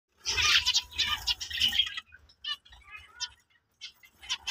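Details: A black-face breeder male zebra finch, ready to breed, sings a fast run of harsh, buzzy notes, then nasal honking syllables.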